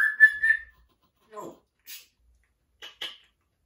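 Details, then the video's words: Male pet African grey parrot singing opera-style: a sustained, wavering whistled phrase, then a low speech-like syllable and a few short, sharp chirps. "African Grey loves singing Opera - vocalizing"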